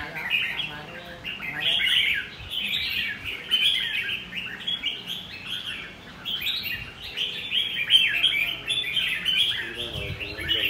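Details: Red-whiskered bulbul performing "ché" style song: repeated energetic phrases of fast, high, jumbled whistles and chatters, each burst lasting a couple of seconds with brief pauses between.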